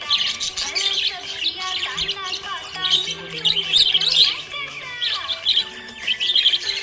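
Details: Budgie in a happy mood gives continuous bright chatter, quick scratchy chirps and warbled trills in bursts with brief dips, while steady background music hums underneath.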